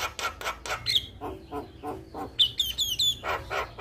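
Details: Singing male Javan myna meant to set other mynas singing, mixing rapid harsh chatter, squeaky whistles and a run of descending whistled notes over faint low hum.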